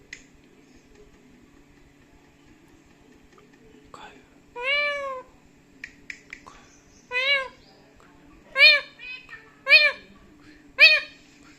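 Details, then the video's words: Indoor pet parrot in an angry mood, switching between talk and screams: after quiet chatter, loud harsh harmonic calls burst out, one long, then shorter ones roughly every second near the end. "The Feisty Parrot: Combining Talking and Angry Screaming"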